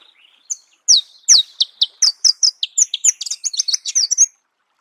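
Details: In its natural habitat, a Marico sunbird delivers a fast, energetic run of high, sharp chirps and slurred notes, steady at first, then speeding into a dense tinkling chatter before stopping abruptly.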